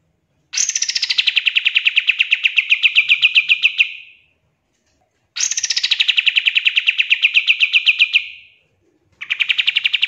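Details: Pied triller song used as tutor material for training songbirds, full of fast bursts: two long trills of rapid repeated chips, each starting high and settling lower, lasting about three seconds, then a third trill beginning.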